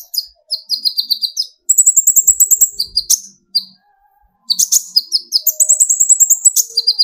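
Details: Lively high-pitched song of an olive-backed sunbird (kolibri ninja), young or speckled, used to provoke other birds into singing: bursts of quick thin chirps and fast metallic trills, broken by short pauses.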